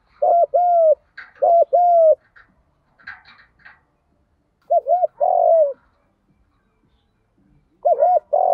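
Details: Spotted dove fighting coo, from male and female birds, meant to provoke newly caught doves: pairs of low, hollow coos in three separated bursts, with gaps of near silence and faint soft chirps between them.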